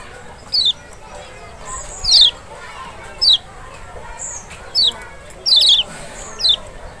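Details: Kecial or lemon-bellied white-eye (Zosterops chloris maxi, Lombok or Sumbawa) used to make a reluctant bird answer: seven high, falling, piercing notes, roughly one per second, one slightly doubled, over soft hiss.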